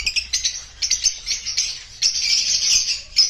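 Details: Rosy-faced lovebirds of the opaline color mutation chirping: bursts of harsh, high, buzzy chatter in quick irregular pulses, merging into a continuous scratchy squeaking stream in the second half.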